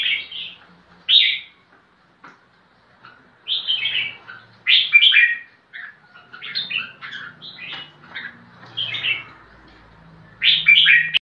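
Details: Combative crested bulbul song, the bird searching for a rival: lively chattering whistled phrases in clustered bursts, some rising and falling, scattered unevenly with short pauses.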